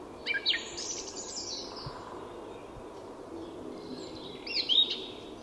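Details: Song thrush singing at dawn in Tyresta National Park, Sweden: two short, high, chirping phrases separated by a long quiet gap, with steady faint background hiss.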